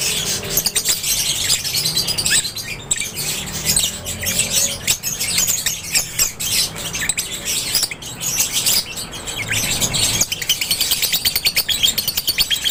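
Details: Lovebirds in an aviary, a dense, continuous chorus of shrill, high chirps and squeaky twitters overlapping from many birds, with brief wing flutters in the background.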